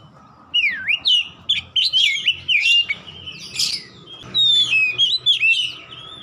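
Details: Oriental magpie-robin, known locally as kacer, in continuous song meant to prompt a stalled bird to sing. Loud swooping whistles, a deep V-shaped slur and rasping notes in quick separate phrases, with a steady faint low tone underneath.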